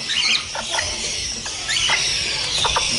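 A red-fan parrot gives short, squeaky chirps and thin rising squeals, about five or six in three seconds, over a steady background hiss.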